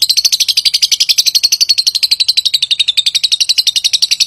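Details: Long ngekek trill of a lovebird, used to draw a reply from other birds: loud, even, rapid chattering pulses, nearly four per second, holding steady for over four seconds on a clean background.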